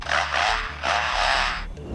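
A superb lyrebird mimics an electric saw with two harsh, grinding rasps, each lasting under a second, over a low steady hum.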